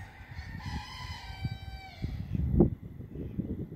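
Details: Rooster crowing in the early morning of August 22, 2022 at Attard, Malta: one drawn-out harmonic crow lasting over a second, falling at the end, over steady low rumbling background noise with a brief thump afterwards.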